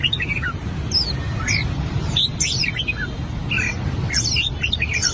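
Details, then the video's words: Red-whiskered bulbul, an albino bird, rehearsing its song with scattered bright whistled slurs and short chirps spaced irregularly, against a constant low hum. "Chim chào mào bạch tạng hót luyện giọng"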